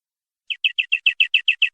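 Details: Canary in gacor, nembak-style singing: a steady series of about nine short, downslurred chirps, each dropping sharply in pitch, repeated at an even pace of roughly seven per second.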